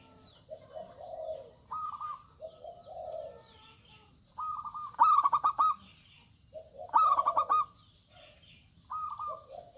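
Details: Local zebra dove in lively, loud song: lower soft coos and higher held notes build to two rapid pulsed bursts of cooing beats, then trail off into gentler coos.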